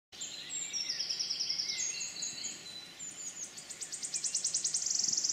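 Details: Wood warbler in the Forest of Dean on 6 May 2018: high thin notes speed up into a shivering, buzzy trill that grows louder toward the end, with other faint high bird notes behind.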